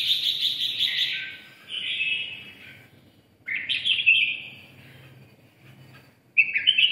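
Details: Ché-style song from a red-eyelid (mí đỏ) Red-whiskered bulbul: three loud warbling, chattering phrases, each starting abruptly and tapering, separated by quiet gaps of about two seconds.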